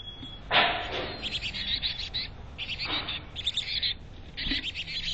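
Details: High-pitched chickadee chirps pour out almost continuously from a North Vancouver nest box, broken by a few soft scraping thumps of movement inside the box.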